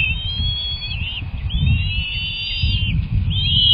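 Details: Feeding at a bald eagle nest with two young eaglets, March 18, one hatched January 31, 2024: long high whistled calls, one stretching over a second with a gentle rise, overlapping notes, steady low background rumble.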